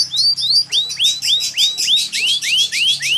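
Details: Yellow canary singing a steady series of loud, clear rising whistled notes, each sweeping upward and repeated about three to four times per second without a break; faint low hum underneath.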